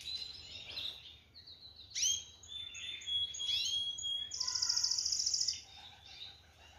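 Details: Canary singing: scattered bright chirps and upward-sweeping whistled notes, then a fast, even, buzzy trill lasting about a second, over a low background hum.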